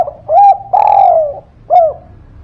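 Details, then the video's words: A chatty spotted dove, or tekukur, whose call serves to coax silent birds into answering: three loud, hollow coos, a short note, a long drawn-out falling one, then another short coo, over faint low rumble. "Suara Pancingan Derkuku Gacor Buat Pancingan Burung Malas Bunyi, Langsung Nyaut"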